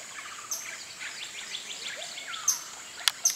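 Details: Pale-eyed blackbird (Agelasticus xanthophthalmus) near Atalaya, Peru, singing a busy jumble of short chirps and downslurred whistles, broken by sharp high ticks, over a steady high insect hiss.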